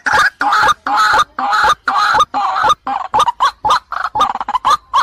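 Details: Female white-breasted waterhen calling a male, a lure call intended to provoke: harsh, nasal, grating notes about twice per second at first, then quickening into shorter, choppier repeated croaks.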